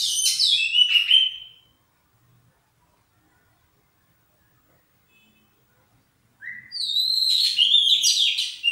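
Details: Oriental magpie-robin in warm-up singing gives two bursts of rich, varied song: quick whistles, trills and buzzy notes high in pitch, separated by several seconds of silence.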